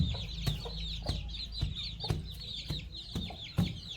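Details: Baby chicks and young chickens eating fresh termites on a countryside farm: dense, overlapping high cheeps from several birds, with soft pecking taps at irregular intervals.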